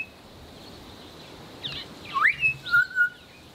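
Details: A Southern Boubou pair duets, the female calling first and the male answering: a rising whistled note, a short chirp, then a clear lower answering whistle, several quick notes within about a second.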